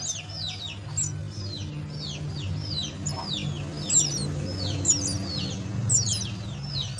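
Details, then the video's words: Myna chicks being fed at the nest, giving rapid, repeated downward-sweeping high chirps in quick overlapping series, with a steady low hum underneath. "Feed the myna chicks at nest"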